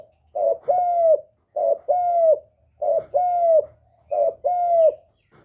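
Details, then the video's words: Decoy spotted dove giving its call to stimulate other caged doves. Four regular paired coos, each a brief note followed by a longer, drawn-out falling hoot, repeated about every second and a quarter. The recording is clean. "Tiếng chim cu mồi GÁY GỌI + THÚC + GÙ kết hợp kích bổi, Cu gáy mồi cây gáy, cu đất gáy, cu cườm gáy"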